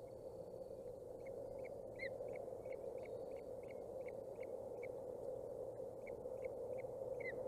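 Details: Young ospreys at a Boulder County nest, aged 27 and 29 days, filmed 14 June 2019 while teetering about; a steady series of quick high chirps, roughly three per second, ending in a louder double note, with background hum.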